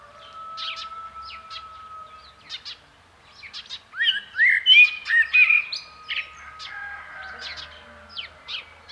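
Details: Common blackbird's warbling, whistled phrase rising and falling in the middle, surrounded by many short sharp chirps from other birds and a faint long steady tone.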